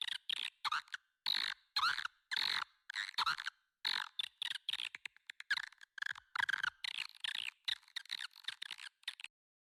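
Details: Swiftlet lure call used to draw swiftlets into a new nest building in West Kalimantan: clusters of harsh buzzy clicking chirps in irregular bursts with short silences, steady and loud throughout.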